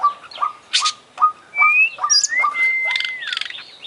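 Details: Oriental magpie-robin, an international champion bird, in full 'isian' song: a loud, long whistle sliding down, then a level whistle falling away, among short repeated mid-pitched notes and bursts of high chatter.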